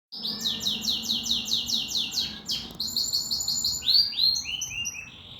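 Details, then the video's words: A singing canary pours out rapid, repeated high whistled notes in long series, several changing phrases of falling chirps, each note sharp and bright, about four notes per second. "Kenari gacor"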